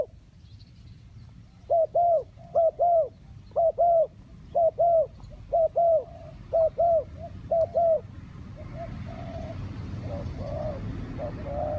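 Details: Spotted dove gives a run of paired coos, each a brief note and then a longer rounded one. The phrases come regularly, then fainter coos trail off against rising background noise.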